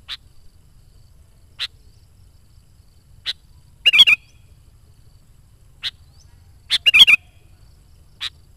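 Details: Actively singing sooty-headed bulbul, played to call in wild kutilang and train decoy birds: isolated high clicks every second or so, with two rich, liquid warbling bursts; otherwise silent.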